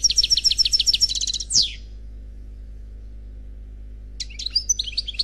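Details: European goldfinch, unpaired male, singing Khalwi style from a CD: a rapid ringing trill ends in a sweeping buzz, followed by about two seconds of silence and a short burst of high twittering.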